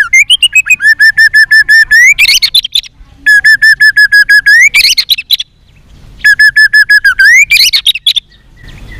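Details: Fighting song of a white-rumped shama, sung in many voices: a long, steady run of rapid repeated whistled notes ends in a rising flourish of jumbled higher notes. The whole phrase repeats three times with short pauses.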